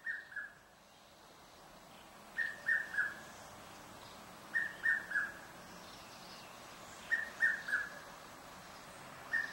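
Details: Red-chested cuckoo (Cuculus solitarius) in a suburban garden in Pretoria, South Africa, in October, often calling through the day but hard to spot: clear, whistled three-note phrases falling in pitch, about every two and a half seconds, over soft hiss.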